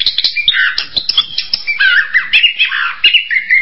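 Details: Orange-headed thrush singing a dense, rambling run of varied whistled and scratchy notes, quickly shifting in pitch with short squeaky flourishes between fuller warbled phrases.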